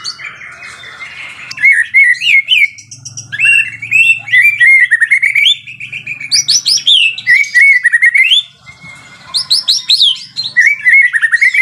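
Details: Lively gacor song of a white-rumped shama. Dense runs of rising whistles and buzzy trills come in bursts of several seconds, with brief quiet gaps and a low hum behind.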